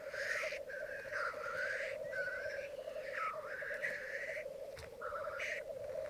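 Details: At a May morning lek on a Mykland bog, twelve black grouse cocks and two hens: continuous low cooing bubble under a run of repeated harsh, breathy hisses, nearly one each second.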